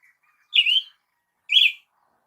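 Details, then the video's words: Brazilian tanager (tiê-sangue) giving two short, bright, rising-then-falling chirped notes about one second apart, with silence between them. "canto de Tiê sangue"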